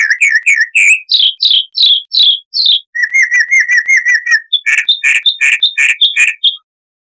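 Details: Chalk-browed mockingbird, Mimus saturninus, harsh-voiced song used to tutor cage birds: a series of rising whistled slurs, then a quick chattering run of short notes, ending with fuller rasping notes repeated several times per second.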